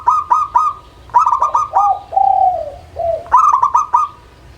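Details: Zebra dove, a local perkutut, singing as a lure to prompt lazy birds: quick staccato coos run together, then longer gently falling drawn-out notes, then another rapid coo series.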